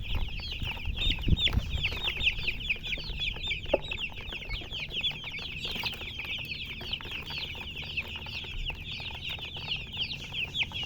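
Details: Colour chickens produce a long, unbroken wash of sharp, high, repeated peeps from many birds at once, with a few soft knocks and a low background rumble.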